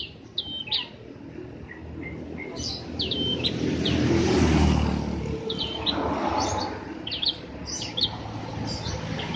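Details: Prinia song meant to draw an answer from a ceplier: scattered sharp high chirps in short runs, partly masked by a swelling broadband rushing noise in the middle.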